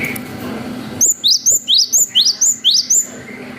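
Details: Gelatik batu (cinereous tit) in 'wucit panjang' song used as a lure for young birds. After a second of low hum, nine crisp rising whistles ring out at about three per second.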